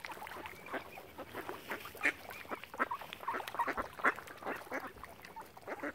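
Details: Ducks gathered around a swan family on Lough Neagh at Oxford Island, Ireland: harsh nasal quacks in loose overlapping bursts, several birds calling at once, with a thin wavering whistle in the background.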